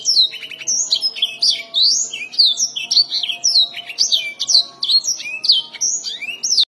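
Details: Black-throated canary singing its original song: a loud, fast, continuous warble of bright, high whistled and slurred notes, many sweeping down then rising, tumbling without pause.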